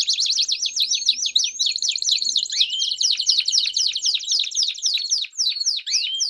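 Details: Canary singing a campainha-style song with peeps, recorded for training young canaries: fast rolling high trills broken by sweeping rising and falling notes, with one lower rising note near the middle, continuous throughout.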